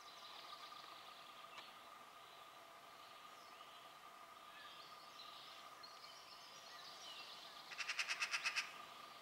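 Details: Eurasian magpie recorded on 15 April 2017: after a long quiet stretch, a fast dry chattering rattle of about eight harsh notes, over a steady background hum and faint distant bird sounds.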